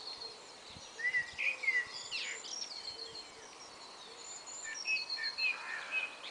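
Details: Garden blackbird in a valley dawn chorus on a bright, clear spring morning, 16th April, singing from 5am with no jet noise because planes were grounded by Icelandic volcanic dust: mellow fluted phrases in two bursts over dense, high chirping of other birds.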